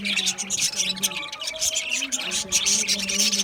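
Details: Several caged budgerigars chatter loudly and without pause, a thick wash of high squeaky chirps, buzzy trills and brief whistled tones.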